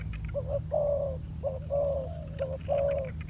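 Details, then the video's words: Spotted dove decoy bird training on the ground, giving paired coos: a short low note followed by a longer, slightly falling hollow coo, repeated three times over a steady low hum. "លលកធ្នាក់ចុះដីចេញក្បាច់បណ្តើរៗហើយ - Pikat Terkurkur trianing on land"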